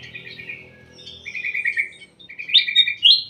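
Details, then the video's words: Ruby-throated bulbul kept in a private aviary, singing quick chirpy whistled phrases around the upper-middle register, slurred notes rising sharply near the end, over a faint low hum. "BURUNG KUTILANG EMAS DI DALAM AVIARY PRIBADI"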